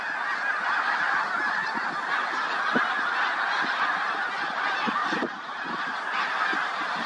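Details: A flock of snow geese on a field near Seneca Falls. Many birds honk at once in a dense, continuous chorus of high, nasal yelps that overlap without pause for the whole stretch.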